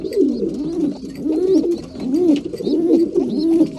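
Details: Breeding pigeons at mealtime, cooing steadily: low, rounded, arching coos overlap one another in a continuous rolling chorus, with faint clicks and scuffling in the background.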